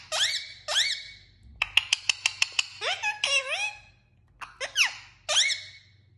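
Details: Indian ringneck parakeet talking indoors: shrill, nasal speech-like syllables with sweeping pitch, a quick run of about eight clipped clicks in the middle, then more rising and falling phrases over a low steady hum.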